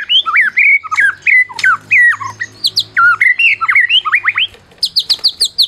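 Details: White-rumped shama, Medan type and contest winner, delivering a fast series of looping whistled notes that swoop up and down, followed by a run of short high descending whistles; song used to stir silent shamas.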